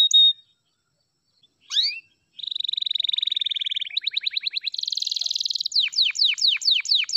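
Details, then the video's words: Long-duration song of an F2YS canary: a brief whistle, a pause, then a rising note into a sustained buzzy roll, a fast pulsed trill, a high rattling section and a run of repeated descending whistled sweeps. "DURASI F2YS GINI || PASTI SYAHDU LAGUNYA"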